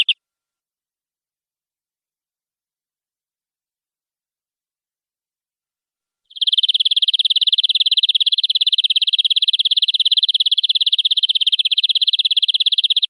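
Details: A canary sings in a long recording meant for teaching young canaries. A brief note is followed by about six seconds of quiet, then a sustained, very rapid, even high trill that continues to the end.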